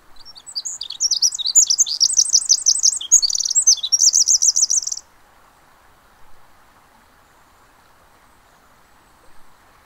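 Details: Pacific wren at the Mamquam Spawning Channels delivering a long, rapid, very high song of bubbling trills and buzzy repeated notes for about five seconds, then stopping, leaving a faint steady background rush.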